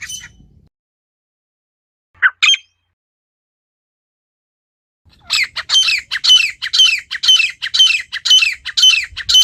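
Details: Wild female partridge calling naturally. After a brief note and a silent pause, it gives a steady series of harsh, ringing, squeaky notes, roughly two per second.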